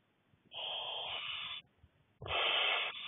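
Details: Six barn owl nestlings calling as a parent brings food, 2nd May 2020; two long wheezing, hissing snores, the second louder, with soft rustling between them.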